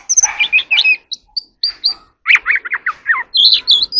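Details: Oriental magpie-robin practising its song: loud, varied whistled phrases, with quick rising and falling slurred notes, a short pause, then a run of clear looping whistles and high chirps.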